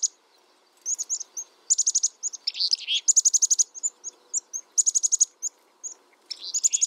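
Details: Black-capped chickadee in busy chatter: quick trains of high, stacked notes alternating with lower, rougher buzzy phrases and isolated chips, nearly continuous.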